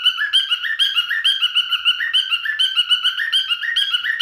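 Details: Singing male cockatiel: bright, slightly buzzy whistled notes in a lively repeating pattern, alternating higher and lower slurs at about two per second.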